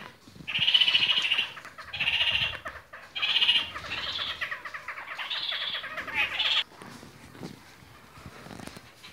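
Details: Red-crowned parakeets (kakariki), various colour varieties, chatter in loud harsh bursts, each a rapid stuttering run of nasal notes about a second long, five or six in a row, then quiet with faint background noise.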